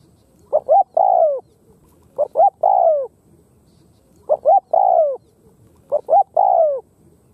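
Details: Four rhythmic phrases from a Khmer spotted dove. Each has two quick rising notes and then a long, sliding, falling coo, with roughly a second and a half of silence between phrases.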